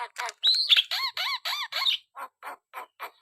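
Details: Energetic Black-winged starling song: a harsh rasping opening, then a run of repeated downslurred squawky phrases, followed by shorter grating notes spaced evenly.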